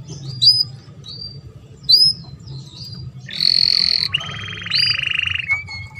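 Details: Canary song used as a lure to bring canaries into mating condition; a few sharp, upswept chirps spaced apart, then two long, fast rattling trills, the second lower, ending in a thin held whistle, over a low background hum.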